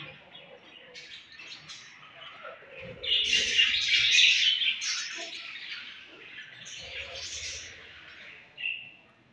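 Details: Budgerigars chirping at feeding time, a mix of thin warbles that swells into a dense burst of scratchy chatter mid-way, then fades to quieter twitters and a short sharp note near the end.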